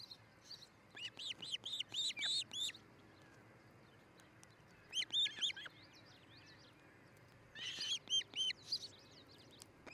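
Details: Osprey pair's nest near Charlo, Montana, nest camera, morning of 13 July 2018: three bursts of quick, high, whistled chirps, each burst five or six notes, separated by quiet gaps of a few seconds.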